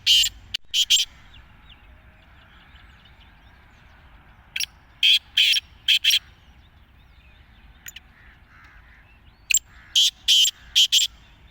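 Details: Black francolin (kala teetar, called chakari wala) calling in three bursts of harsh, grating, clipped notes, each phrase of about four to five rapid notes, separated by several seconds of quiet background.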